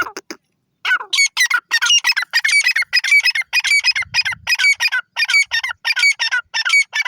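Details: Teetar (francolin) giving loud, harsh, grating calls in a steady rhythmic series of roughly 86 notes a minute, each note buzzy with a bright squeaky top, against an otherwise quiet background.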